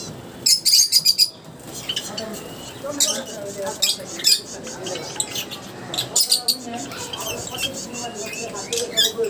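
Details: Pet Java sparrows in an aviary, several birds calling while bathing: a quick burst of five high, sharp chirps early on, then scattered single chirps among water splashing and fluttering wings.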